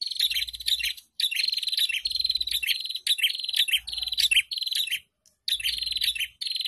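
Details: Prinia song used to coax caged birds into singing, several near-continuous bursts of high buzzy trills with fast rattling ticks, broken by brief gaps.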